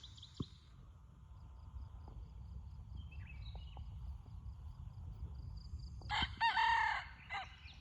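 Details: Red junglefowl kept as a decoy bird, giving one hoarse crow near the end: a short broken opening, then a drawn-out strained note lasting about a second, with faint twittering and a quiet steady hum before it.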